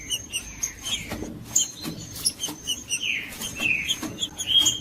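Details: Judas-style green-winged saltator singing, used to stir cold captive saltators into song: rich whistled slurred notes near the end over busy clicks, ticks and a steady high thin tone.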